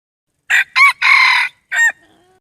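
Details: Red junglefowl cock crowing: four loud harsh bursts, two short rough notes, then a long buzzy drawn-out note and a final clipped syllable, all within about one and a half seconds in a quiet setting.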